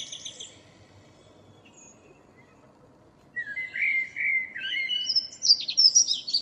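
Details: After a few seconds of near silence, a local common blackbird's morning song starts with a low warbled phrase and breaks into high chattering twitter, recorded 2 April 2013.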